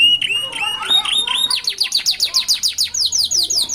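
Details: A canary chick, starting to sing boldly by a roadside, gives high, varied notes, then breaks into a fast rolling trill of downward-sweeping notes, about six per second.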